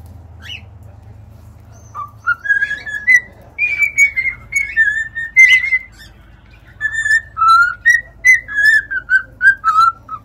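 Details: Pet cockatiels singing, a string of pure whistled notes that step up and down, some sliding upward, growing into a quick run of short repeated whistles after a quiet gap.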